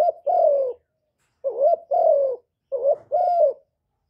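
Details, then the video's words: Spotted dove calling to stir up decoy birds: low hollow coos in three phrases. The phrases are a short lifted note then a longer wavering coo falling at the end, separated by pauses of over half a second. "TIẾNG CHIM CU GÁY KÍCH MỒI RẤT HIỆU QUẢ, CU GÁY KÍCH TRỐNG CỰC HAY, GÁY GỌI, CHIÊU, GÙ, BO, CU ĐẤT"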